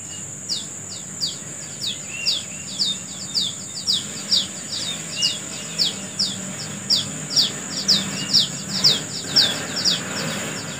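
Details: Wild bird singing in the morning amid natural surroundings: a steady run of sharp, downward-slurred high chirps, about two per second, over a continuous high insect drone.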